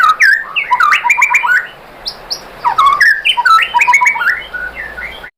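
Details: Song of a white-rumped shama played to make other shamas sing back: two bursts of rapid, jumbled whistles and chirps, rising and falling, separated by a brief quiet gap with a high buzzy note.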